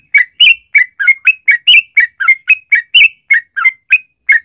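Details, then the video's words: Yellow-vented bulbul song used to make other bulbuls sing. A clean, steady series of clear, bubbly chirps comes about four per second against a quiet background. "trucukan gacor ROPEL PANJANG buat pancingan trucukan agar bunyi jadikan burung trucuk gacor EMOSI"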